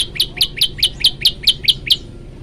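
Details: Energetic, varied tailorbird song made of ten bright, piercing chirps in a regular series, roughly five every second. Each note has a quick lower grace note and a loud high peak, with a quiet hum behind.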